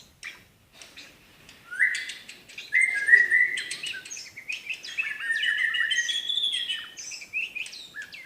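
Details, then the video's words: Medan white-rumped shama opening with soft ticks, then loud sustained whistles and a busy stream of varied slurred notes and sharp clicks, part of its 'tembakan' song. "tembakan burung murai batu medan"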